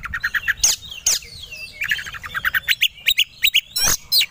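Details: Kacer, or Oriental magpie-robin, singing to provoke rivals into fighting mood: a run of clipped mid-high notes repeated rapidly, broken by harsh loud bursts and a long falling whistle, then more quick staccato notes.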